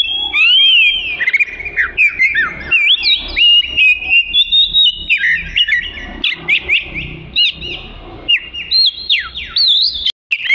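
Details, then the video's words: A long-tailed black-and-white Oriental magpie-robin sings vigorously: a stream of sharp whistled notes, rising and falling slurs and quick chattering phrases, delivered almost without pause, ending with a brief cut. "Burung Kacer Suara Gacor"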